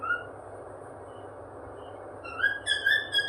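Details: Happy cockatiel: one brief whistle at the start, a quiet pause, then a bright burst of rising, wavering whistles near the end, with a faint background hum.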